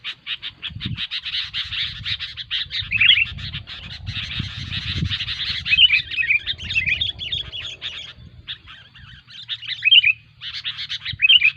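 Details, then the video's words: Sooty-headed bulbuls calling noisily, a lure recording for trapping: packed chattering chirps, with a few clearer whistled notes standing out, a brief lull near the eighth second, and soft low thumps underneath. "SUARA BURUNG KUTILANG RIBUT SANGAT COCOK UNTUK MASTERAN MIKAT BURUNG KUTILANG"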